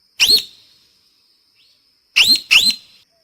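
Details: A single harsh rising squawk from a parrot, then near silence. Two more quick squawks follow as a tight pair, over a faint background tone.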